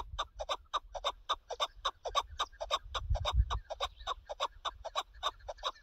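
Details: Chukar partridge heard during partridge hunting, a fast, steady run of harsh chuck notes, nearly two per second, continuing throughout with a brief low thump midway.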